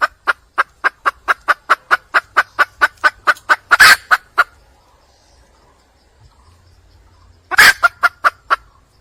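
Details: Red junglefowl hen, wild, calling for a male. Roughly seventeen quick, regular clucks build to a grating squawk, then a long quiet gap, then another squawk followed by a few clucks.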